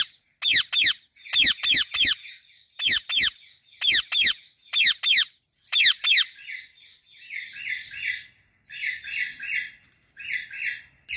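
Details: A female Indian ringneck parrot sits in a blossoming apple tree and gives clusters of piercing, high, rasping squawks in twos and threes. These fade into softer, buzzy chattering notes toward the end.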